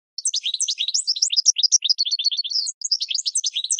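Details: Goldfinch song intended to train cage birds, a busy jumble of high liquid twitters and quick slurred notes delivered almost without pause, one short break near the end.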